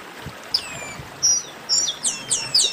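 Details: Chestnut-capped blackbirds in a 'baderna' flock chorus: thin, high whistles slide downward, then bursts of quick overlapping chirps grow denser toward the end, over a soft background hiss.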